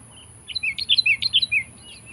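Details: Sooty-headed bulbul's rival-challenging call, a short burst of bubbly, rising and falling chirps over roughly a second, somewhat softer and with a low background hum beneath it.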